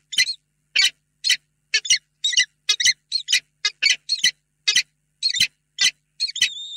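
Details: Pair of peregrine falcons at the nest box in Reda, 28 February 2022, before evening; spaced harsh rasping notes, some doubled, ending with a thin level whistled tone.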